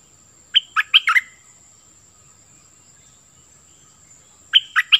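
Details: Caged Cream-vented bulbul used as a decoy, singing in short bursts: four loud liquid notes, a long pause of over three seconds, then three more matching notes.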